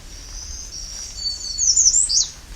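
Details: American Redstart singing on a summer early morning at Alvar Bay nature reserve, on the northwest end of the Bruce Peninsula: a run of thin, very high, sibilant notes that grows louder and ends in a sharp, piercing, downslurred flourish.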